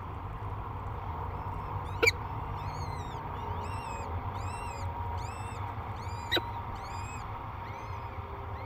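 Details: Peregrine falcon nest on a cliff near La Crescent, Minnesota, on the day the first and second chicks hatched. Series of thin, bowed peeps with overtones run steadily, broken by two sharp clicks against a background rumble.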